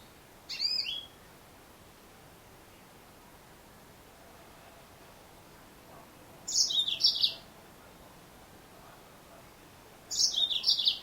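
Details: A female yellow-fronted canary (Mozambique, Serinus mozambicus) gives three short, high, bright twittering phrases spaced several seconds apart, over a quiet hiss.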